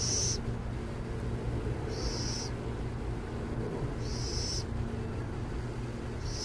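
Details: Near San Jose, burrowing owls produce four high, breathy, half-second screeches about two seconds apart, with a low, constant hum like traffic behind them.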